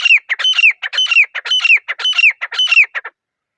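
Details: A grey francolin gives a steady series of loud, harsh, creaking phrases, about two each second, each with a high ringing whistle on top. The series ends abruptly after three seconds into silence.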